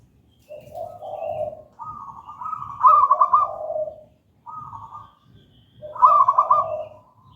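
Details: Local wild-type zebra dove singing in gedang rojo style, used as a lure for trapping merbok and as a master song for training silent doves; rolling, trilled cooing phrases, each a low purring coo beside a higher rippling note, repeated in bursts with short pauses.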